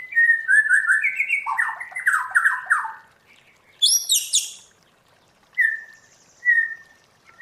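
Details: White-rumped shama in forest-voice song (giọng rừng): rich warbled and chattering phrases, a sharp high burst after a pause, then two short clear whistles separated by silence.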